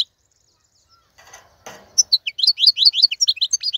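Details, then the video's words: Male wild European goldfinch tutor song for young birds: after near-silence and a soft rustle, a quick run of bright, sharply rising and falling twittered notes. "تغريد الحسون : تغريد روعة"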